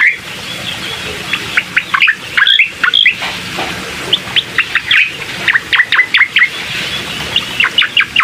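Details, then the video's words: Bar-winged prinia song used as a lure to prompt a reluctant bird to sing: rapid series of sharp, downslurred whistled notes repeated in quick bursts over a steady hiss. "pancingan cucak koreng malas bunyi"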